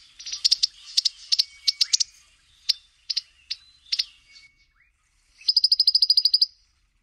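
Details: African firefinch giving high, sharp chipping notes at an irregular pace, then a fast, even trill of about a dozen bright notes lasting one second.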